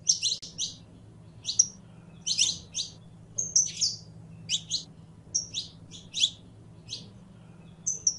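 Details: Saffron finch song made of bright, high chirps given in rapid clusters, mixed with a few thin, level whistled notes, the bursts spaced unevenly across eight seconds over a faint background hum.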